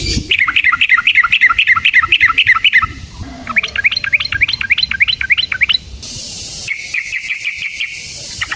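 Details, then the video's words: Yellow-vented bulbul lure song with long rolls: rapid runs of sharp, repeated bubbling notes, about four per second, in two bursts, followed by softer rhythmic chirping over a background hiss. "Suara Burung Trucukan GACOR ROPEL Panjang Ampuh Untuk PANCINGAN TRUCUK"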